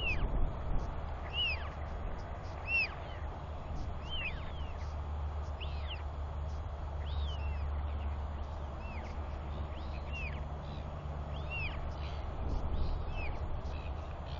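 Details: Royal albatross chicks wheeing during a father's feeding visit, one chick near the parent and another just below; a loose run of short arched whistles, some faint and distant, scattered across the clip over constant low wind.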